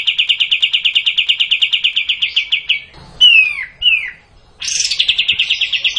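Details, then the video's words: In the 'tembak panjang' style, a kapas tembak bulbul pours out a quick metallic trill for nearly three seconds, adds two clear downward-sliding whistles, then returns to the rapid repeated notes. "Kapas tembak panjang"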